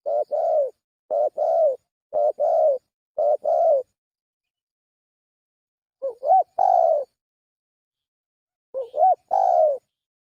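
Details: Four quick short-long coo pairs from a spotted dove lure call, then a pause and two slower phrases of a rising warble leading into a long falling coo.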